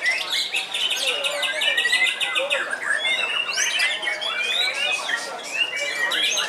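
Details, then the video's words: An old caged white-rumped shama, aged 15 and still in full song, delivers loud, varied phrases: bright rising whistles, rattling trills and quick chirp series that run almost without pause. "BURUNG MURAI TERTUA YANG MASIH AKTIF GANTANG"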